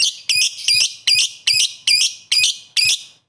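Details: Lovebird calling rivals with a steady run of eight shrill, rasping squawks, evenly repeated about every 0.4 seconds.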